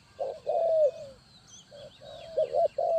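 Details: Spotted dove used as a trapping lure, giving low mellow coos: a brief note then a long sliding coo that falls away, followed by further short paired coos; thin high chirps of other birds in the background.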